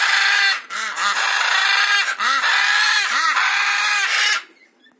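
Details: Macaw giving loud, harsh, raspy squawks in long sustained bursts, each rough and broadband with a slightly rising then falling tone, three main blasts separated by brief pauses before falling silent near the end.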